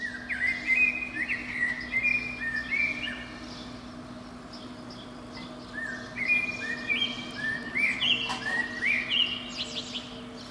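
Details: Eurasian blackbird in a pine beneath a window, singing early on a spring morning; two long bursts of varied, tumbling fluted notes separated by a quiet gap, with a low background hum.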